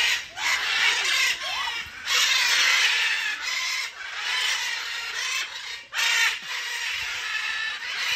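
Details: Macaws at Emperor Valley Zoo, Trinidad, give loud, harsh, grating screeches in long raucous bursts, one after another with barely a pause, filling the air with rough, piercing noise.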